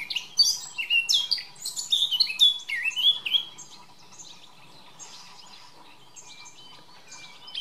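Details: Male Eurasian blackcap singing a bright burst of fluty, descending whistled phrases and quick chattering notes for about three seconds, then a quieter, faster warbling continuation that fades, with faint background hum.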